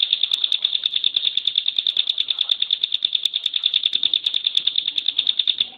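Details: A kept Bar-winged Prinia, locally ciblek gunung, sings a continuous rapid rattle of piercing, evenly spaced high notes, several per second, as a tight 'tembakan' contest-style song.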